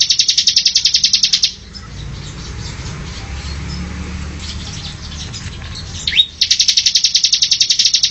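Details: Bar-winged prinia song used as tutor material for training cage birds: fast, even trains of high chipping notes, about three per second, at the start and end, with a noisy low rumbling gap between.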